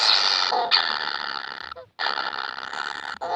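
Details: Young kingfishers calling to be fed: a continuous harsh, hissing rasp broken by one brief pause near the middle, loud and steady throughout.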